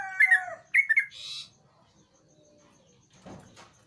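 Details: Song of a sooty-headed bulbul in full voice, played as a lure for a bird reluctant to sing: a falling whistle and quick liquid phrases in the first second, a brief rustle, then near silence.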